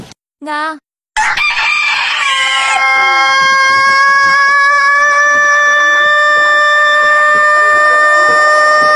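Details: Rooster from Japan, part of a compilation of crows from countries around the world: after a brief spoken word, one very long, steady, drawn-out crow holds a level, richly harmonic tone for nearly eight seconds.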